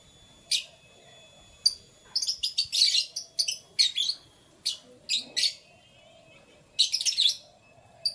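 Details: Canary chirping in the morning: a lively run of rapid, high, sparkling notes in quick succession, pausing, then another fast burst near the end.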